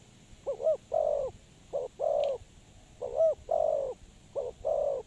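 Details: Spotted dove kept as a lure for trapping, cooing in four phrases of a short doubled note followed by a drawn-out coo, with a brief faint high tick and steady hiss.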